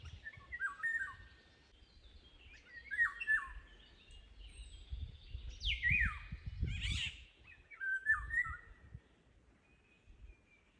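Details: About six Eurasian golden orioles, recorded very close by phone on 14 June 2026, give fluty, yodelling whistles mixed with harsh, cat-like downward screeches.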